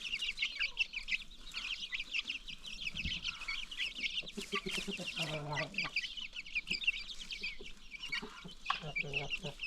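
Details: New baby chicks among free-range chickens keep up steady shrill peeping, with brief deeper clucks and a short burst of harsher hen calling midway.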